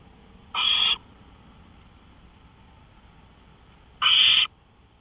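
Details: Owl calling at night on a porch, 1:53 AM on 5 May 2013: two harsh, hissing bursts about half a second long, roughly three and a half seconds apart, over a quiet low background hum.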